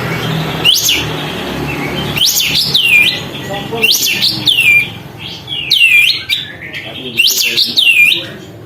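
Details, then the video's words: Sooty-headed bulbul displaying with its tail open, singing to stir up rival birds: repeated swooping, ringing whistled phrases about every one and a half seconds, against a low rumbling background. "kapas tembak gacor buka ekor, untuk memancing emosi burung lain"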